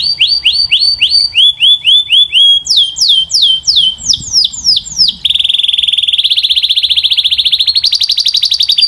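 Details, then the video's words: Belgian canary delivering powerful, clear song: repeated upward-slurred whistles in changing tours, sweeping notes, then a long fast trill that rises slightly in pitch near the end. "The Strongest Belgian Canary Singing Voice - Powerful and Clear"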